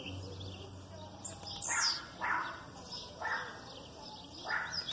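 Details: Aggressive Blue-black grassquit song, with female calls in the background. One high, thin, falling buzz appears near the middle, along with several softer, lower whooshing notes spaced about a second apart.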